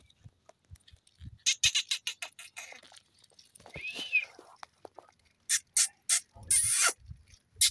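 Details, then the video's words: A young Alexandrine parakeet gives bursts of harsh, hissing squawks and one short whistled note, with clicks and faint background noises between calls. "babay parrot talking"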